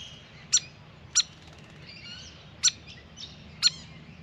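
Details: Grey fantail at a backyard birdbath: four loud, sharp, high chip notes, irregularly spaced about half a second to a second and a half apart, with soft thin twittering between them.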